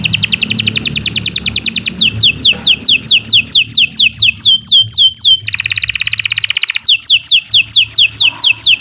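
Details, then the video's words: Long singing canary, recorded to train other birds: a fast trill gives way to repeated downward-sweeping whistles, then a rattling buzzy trill section and more sweeping whistles; faint low hum beneath. "Kicau Burung Kenari 156 II LUAR BIASA GACOR PANJANG Cocok untuk Masteran"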